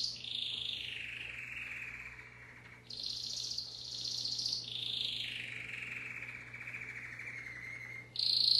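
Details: Timbrado canary performing a rolling song. High trills glide down into lower, softer rolls, followed by a bright high burst and another descending roll, with a faint steady hum underneath.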